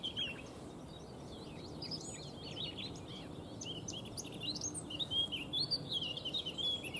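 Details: Eurasian Blackcap singing in the background while a White Stork forages in Neerijnen, the Netherlands: a busy, varied high warble of quick chirps and slurred notes, ending in louder fluty phrases, over a low rumbling background.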